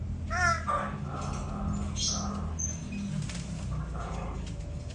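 Greater bird-of-paradise giving one loud, harsh, crow-like call, then a few fainter nasal notes, over a steady low rumble.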